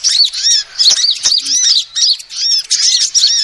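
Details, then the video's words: Female sunbird calling, a sound used as a lure: bursts of high, squeaky arched notes repeated in quick groups with small breaks between them, plus a couple of faint taps. "SUARA ASLI KOLIBRI BETINA"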